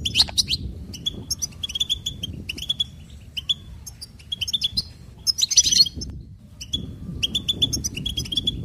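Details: Goldfinch delivering cheerful trills and warbles in repeated phrases of clipped notes and steady tones, with two dense twittering flourishes; soft background hum.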